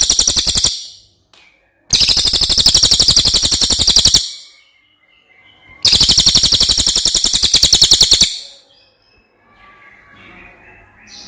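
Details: A brown cililin from outside Java, used to teach other birds its song, gives repeated long rolling trills of fast, loud, high notes lasting over two seconds each, separated by short quiet gaps with faint chirps at the end.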